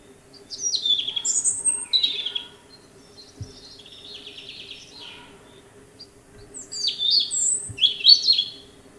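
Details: European robin song: clear, high warbled phrases of sliding and trilled notes, a ringing burst, a quieter stretch with fainter twittering, then more tumbling high notes, over a faint steady low hum.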